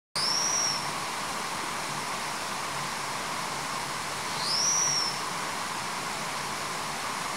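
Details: Taiwan whistling thrush singing in the Nangang hills, 10 August 2019: two thin, high, slightly falling whistles about four seconds apart over a steady rushing hiss, probably running water.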